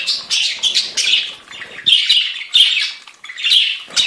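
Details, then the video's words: Several budgerigars keep up a harsh, twittering warble, with grating chatter phrases roughly every half second to a second and a few sharper squeaks. "Chant perruches"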